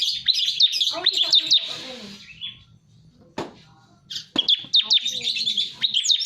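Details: Lure recording of bar-winged prinia: quick series of high, clipped ticking notes at the start and end, separated by a quiet stretch with a few lower chirps and a single sharp click.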